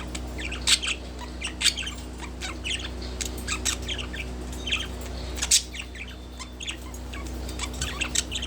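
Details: Captive budgerigar relaxing on a wooden perch, giving soft chirps and short warbling chatter at irregular intervals, with a steady low hum in the background.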